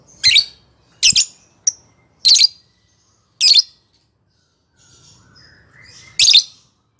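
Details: Lovebird giving its ngekek song, played to provoke caged birds into singing: sharp, high, scratchy chirps spaced about a second apart, one brief short tick, a quiet pause with faint low rumble, then a final loud chirp.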